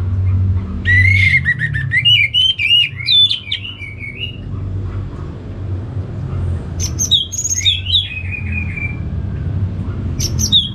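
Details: Orange-headed thrush from Singaraja, North Bali, in lively 'gacor' song: rich whistled phrases with rapid slurred notes, separated by pauses of a few seconds, over steady low background hum.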